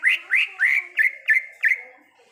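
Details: Wild greater green leafbird giving six rich whistled notes in a row, each rising sharply then held, about one every quarter second, fading at the end.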